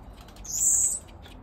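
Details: One sharp, high-pitched drawn-out whistle lasting about half a second from a blue-capped cordon-bleu in a breeding aviary where a cock bird was introduced to prompt territorial behaviour; quiet background.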